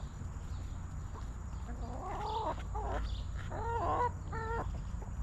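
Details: Backyard chickens in their coop, hens clucking: a run of short harmonic clucks and a rising, wavering cackle in the middle, then two clear stacked clucks near the end, over steady low background hum.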